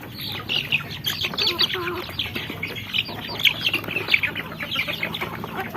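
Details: Little chickens, chicks, giving a dense chorus of high, thin peeping notes, many overlapping short calls throughout, with faint background noise.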